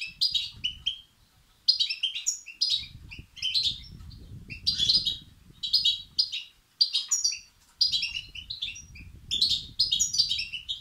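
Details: Chicks of the European goldfinch begging, said to stir up males: repeated bursts of shrill, high chirping and twitters over eleven seconds, with a low rumbling background noise at times.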